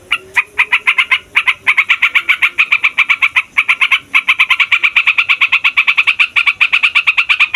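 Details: Long 'ngeroll' rolling song of a fighter yellow-vented bulbul, meant to stir other songbirds to sing: unbroken fast stream of bubbly chirps, quickening toward the end, with a faint high thin tone early on.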